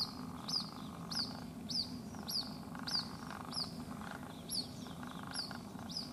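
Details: White-breasted waterhen chick at a house in Rajasthan, India, calling non-stop after its mother flew over a wall: high, thin peeps sliding downward, repeated steadily almost twice a second over a low background hum.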